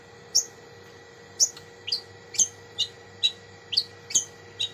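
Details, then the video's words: Long-tailed shrike giving clear, sharp, high down-slurred notes, repeated about every half second, with a faint steady hum in the background. "Cendet Isian Mewah"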